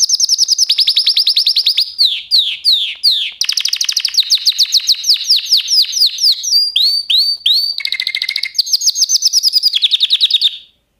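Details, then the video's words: A canary sings a long, unbroken song of fast, high trills, changing every second or two between rolling series, sweeping whistles and rapid chips. "Kanarya sesi | Kanarya ötüşü | Canary Sound"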